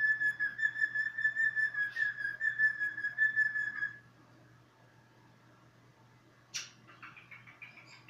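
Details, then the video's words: Cockatiel whistling a long, even, pure tone that is held steady for about four seconds. A quiet pause follows, then a sharp squawk and a few quick chirps. A faint, constant low hum runs throughout. "Σφύριγμα κοκκατίλ"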